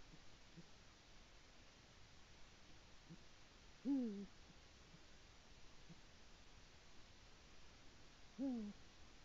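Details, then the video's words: Eurasian eagle-owl male at his nest, 22 February 2018, calling to his mate on arrival; two short, deep hoots dropping slightly in pitch, spaced about four and a half seconds apart, with steady faint hiss between. "Bubo kungs ierodas ligzdā un sauc savu otro pusīti."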